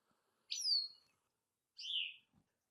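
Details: Bicknell's thrush song played back for a birding group on a spring hike in Maine: two thin, very high, swirling phrases that slide downward, about a second apart, with a faint low thump at the end.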